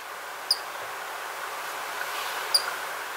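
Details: Common kingfisher, apparently the territory holder, on a small stream by its hunting territory, finally calls toward a plush toy kingfisher after hunting displays: two short, piercing high whistles about two seconds apart over steady hiss of water or wind.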